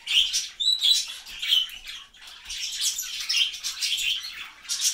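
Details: Two pet lineolated parakeets preening each other give soft, high chirps and twittering chatter, irregular and overlapping, with some rustling between the calls.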